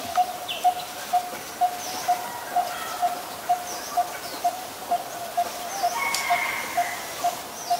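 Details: Coppersmith barbet, a very common resident, recorded in Ubon Ratchathani, Thailand, on 23 January 2020: a steady series of short, hollow, mid-pitched tonk notes, about two per second, sixteen in all, with faint other birds behind.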